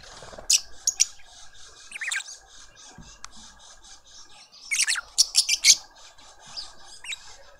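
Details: Lovebird family feeding a juvenile in a South African suburban garden in Pretoria: rapid shrill squeaks and chatter in two busy bursts, with steady soft twittering and a low hum throughout.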